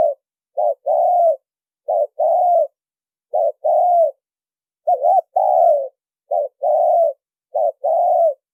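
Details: Lure call of a spotted dove. A brief coo is followed by a longer, slightly falling coo, and the pair repeats steadily about five times. Clean, quiet background.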